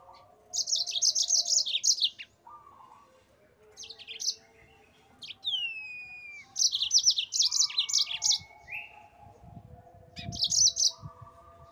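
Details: Cage-bird training master of a yellow-fronted canary in full gacor ngerol song: repeated fast high trilled phrases, several short chirp bursts and a pair of smooth downward-sliding whistles midway, over a faint low hum.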